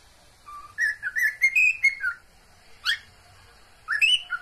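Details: Cockatiels at home calling to mate: a wavering series of whistled notes rising in pitch, then isolated sharp upswept calls after a brief quiet.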